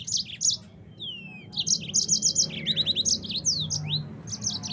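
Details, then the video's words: Yellow-fronted canary song used as a tutor recording for caged songbirds: rapid chirped notes in quick series, long downward-slurred whistles and a fast repeated trill, bright and high, over a low background hum. "Masteran Burung Mozambik Agar Bunyi 100% Langsung Ngerol"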